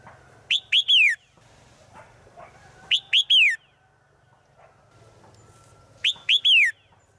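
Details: Female bird in the forest calling to a male, giving three whistled three-note phrases about every two and a half to three seconds, each ending in a long downward-sliding whistle, with faint background hum.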